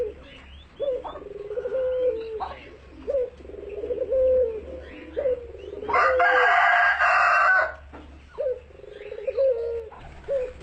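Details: A captive seed-eating turtle dove, kept for breeding, singing actively while nodding its head; low, repeated 'kuk gerukk kwokk' coos recur every two to three seconds, interrupted by a loud harsh noise burst near the middle.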